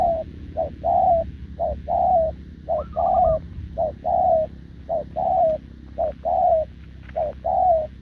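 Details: Continuous cooing from a wild-caught spotted dove facing a decoy, recorded 6 November 2024; eight even two-part coos, short lead note then longer falling note, about once a second, one brief higher coo from another bird.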